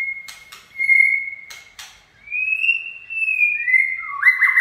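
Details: White-rumped shama in a 'chạy cầu' song run, holding long pure level whistles broken by dry clicking ticks, then a smooth slightly rising whistle ending in a brief scratchy flourish.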